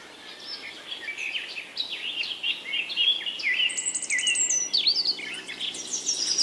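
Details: A baby bulbul trying to leave its nest: busy, overlapping chirps and bubbly notes, quick and mid-to-high pitched, over a steady hiss, with thin high trills from other birds.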